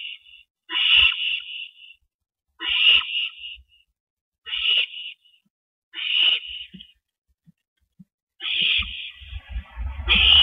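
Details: Owl at its nest on April 19, 2012, around 8:15 PM, as one bird delivers a rabbit to its mate: harsh, hissing screeches about a second long, repeated roughly every two seconds, with soft thumps between them.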